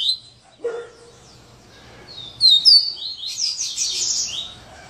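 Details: After a short lower swooping note, a coleiro breaks into its "serra elétrica" song, a fast, scratchy, high chatter of sliding notes.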